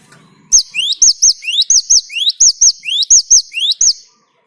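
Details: Great tit (Parus major) singing to lure other birds: a steady series of about ten phrases, each a clear upward-sweeping whistle ending in a sharp high note, spaced a little under half a second apart.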